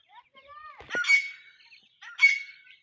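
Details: Black francolin chicks calling: a soft rising whistled note, then two bursts of thin, sharp peeping chirps about a second apart, clean with no background noise.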